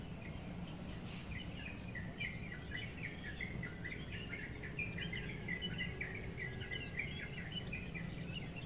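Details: A bird singing at about 5:30 in the morning, while it is still dark, during a brief visit it makes almost every day: a continuous, fairly faint, rapid twittering chatter of short mid-pitched notes over steady background hiss.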